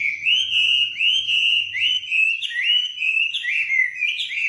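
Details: Tame wambi with a loud, lively song, giving a run of sustained whistled phrases, each sliding upward then leveling off, repeated about once a second with little pause, a faint low hum early on.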